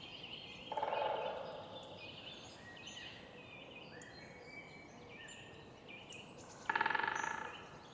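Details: Woodpeckers drumming in a morning city park: two brief rapid rolls, one near the start and one near the end. Other birds whistle and twitter continuously against a constant low urban hum.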